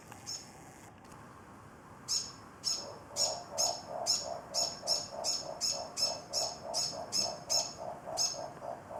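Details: An older morepork perched on the edge of a container, continuously calling to an injured younger morepork with a broken wing inside, as if comforting it: soft, low notes with thin, chirpy edges, repeated at nearly three per second.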